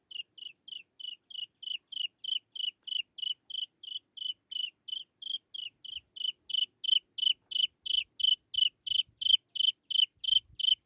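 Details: Chinese francolin chick calling to lure its mother. It gives short, high, slightly downslurred chirps, about three per second in a steady run of some thirty notes. A few faint low thumps are heard near the end.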